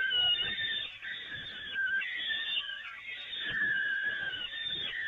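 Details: Feeding of peregrine falcons from the nest grating at the Evoluon, 13 May 2018: rasping, drawn-out screeches run almost without pause, varying slightly in pitch.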